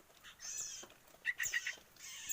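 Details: Two 7-day-old Sooty-headed Bulbul nestlings being hand-fed, begging with harsh, hissing bursts plus a quick run of four or five thin, high chipping notes between them.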